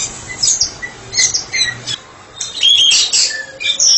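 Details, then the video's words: White-rumped shama, a therapy specialist bird, in ngeplong song: harsh scratchy notes mixed with brief high whistles and a loud raspy burst near the end. "Murai batu spesialis terapi sedang ngeplong"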